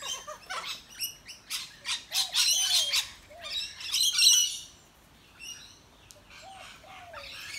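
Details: Wild Australian rainbow lorikeets visiting a backyard, chattering while they eat: bursts of harsh, buzzy screeches spread high across the range, clustered in quick runs with short gaps, while lower curved whistled notes sound softly beneath.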